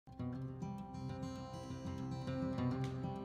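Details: Plucked acoustic guitar music plays throughout, with no animal sounds.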